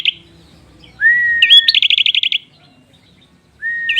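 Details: Prinia song, prized as a rich tutor song for cage birds: a smooth rising whistle leading into a hooked note and a fast chattering series of high, buzzy notes, then another phrase beginning.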